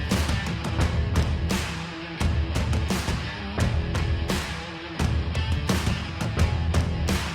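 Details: Loud rock music with heavy drum hits and distorted guitar, stopping and restarting in short punchy bursts.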